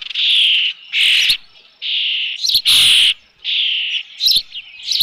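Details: Osprey calling at the nest with a fish, 3 June 2018, late afternoon at Dunrovin Ranch. Long, steady whistled notes alternate with shorter sharp chirps, about five calls in five seconds.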